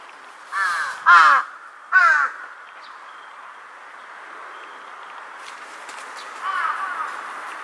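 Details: A Large-billed crow, seen 2 September 2022 replying to distant calls before being startled by a call overhead, gives three hoarse caws in quick succession. A weaker, more distant caw follows several seconds later.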